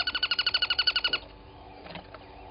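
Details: Crested barbet calling beside Gowrie dam waterhole on Djuma Game Reserve, Sabi Sand Wildtuin, South Africa, at 07:34 on 23 August 2020; a rapid, even buzzy trill of pulses lasting about a second, then faint background sounds.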